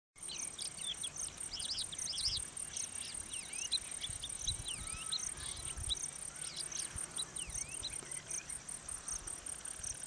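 Crested lark giving clear, slurred whistled notes, rising and falling, over a steady high, shrill chorus of crickets.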